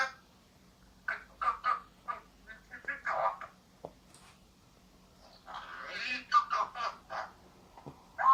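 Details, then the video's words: A captive male vosmaeri eclectus parrot, about two years old, indoors in a living room, making a run of varied squawks and chattering sounds in quick bursts with short pauses, some speech-like, plus a low steady hum. "Kiwi the eclectus parrot talks and makes funny sounds."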